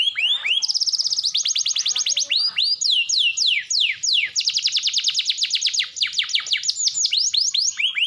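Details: Canary song for prompting canaries that are hard to get singing: rising slurred notes leading into dense fast trills, with swooping whistles in between, continuous throughout.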